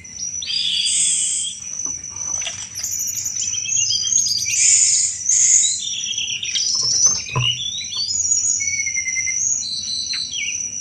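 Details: Chattering song of a Sunda robin in full voice, said to draw in any kind of thrush: continuous rich high warbling with fast trills and downslurred whistles, and a persistent thin ringing tone behind.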